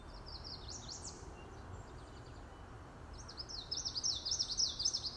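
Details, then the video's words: Common yellowthroat (Geothlypis trichas) in Montreal, Canada, singing two bursts of quick, rolling, high phrases, the second louder and more emphatic, over a low rumble of background noise. "Common Yellowthroat (Geothlypis trichas) vocalizing and singing"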